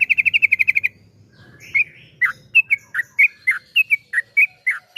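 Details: Yellow-vented bulbul in 'ropel panjang' song for luring other bulbuls: it opens with a rapid, even trill of about ten notes, pauses, then moves into spaced, bubbly whistles that rise and fall.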